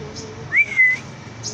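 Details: Pet parrot giving a short clear whistle that rises, then holds a steady level before dropping away, over quiet room noise.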